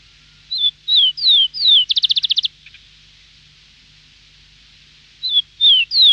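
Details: A Rufous-collared sparrow in Antofagasta, Chile, sings four clear, high, down-slurred whistles and then a quick buzzy trill. After a pause come three more falling whistles. No other sounds intrude.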